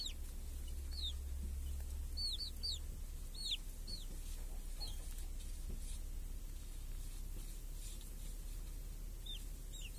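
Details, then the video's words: Hen with chicks grazing under a protective cage in a village on a clear summer day; scattered single high peeps sliding downward, a few in quick pairs, separated by quieter gaps over a low rumbling background. "Chickens and hen in the village | Sounds with chicks on a clear summer day"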